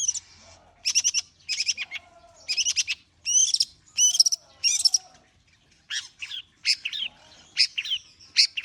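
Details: Warm-up song of a long-tailed shrike: short clustered bursts of harsh, chattering and squeaky notes, each lasting under half a second and separated by brief pauses, in a quiet setting.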